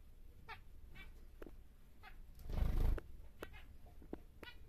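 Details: A large captive normal grey male zebra finch gives short, nasal, buzzy notes at an uneven pace of roughly two to four a second, broken by a brief rushing noise midway.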